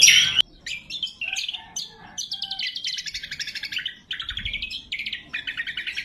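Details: Loud, clear lure and training song of a lesser green leafbird: a sharp opening note, then varied whistled phrases and rapid rattling trills repeated in quick runs, with short pauses between them and no other sounds.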